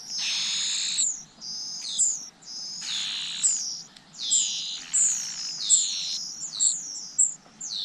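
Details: Young birds in the nest calling while they wait for parents to return with food: drawn-out, piercing high squeals about once a second, each ending in a short downward slur, with faint softer chirps between.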